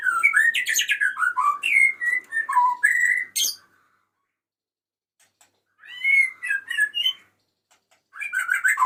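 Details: Male white-rumped shama calling its female with a rich sequence of quick descending whistled notes and chips, a pause, then a shorter varied phrase and the start of another.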